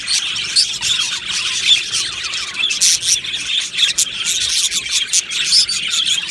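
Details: Colony of Australian budgies chattering together in an aviary. Bright, overlapping chirps and twittering notes pour out without a break, with short louder bursts of squeaky calls rising and falling every second or so.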